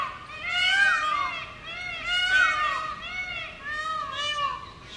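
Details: Peacock calling loudly from a roof, long ringing wails that swoop up and down and follow one another almost without pause.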